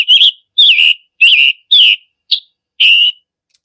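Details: Scarlet tanager call in summer woods, heard in the backyard through summer and fall, possibly bringing food to a nestling: six short, slightly burry high notes, each dipping a little, about one every half second, quiet background.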